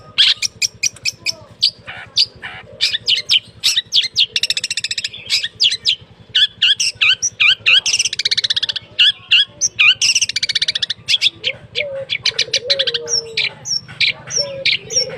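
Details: Long-tailed shrike (cendet) kept in a cage, in full song after the cover comes off: rapid sharp clicking and chattering notes interspersed with buzzy rasping phrases and a few whistled slurs; constant low hum behind.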